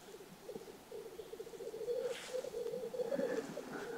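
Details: Black grouse bubbling, a low, continuous rolling coo with a few thin chirps from other birds, heard at dawn in spring in Karelia during a frosty morning search for a capercaillie lek.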